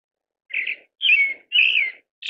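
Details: Pale thrush giving three loud, slightly hoarse notes about half a second apart, each a short downslurred whistle with a rough edge, with the start of a fourth at the end; quiet background.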